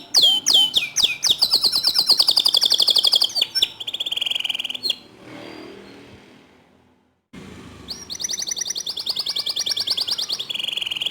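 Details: Canary song meant as a master recording to prompt other canaries to sing; fast, high buzzy trills and sharp chirps sung in long rolling bursts, interrupted by a short silent pause midway before the trilling starts again.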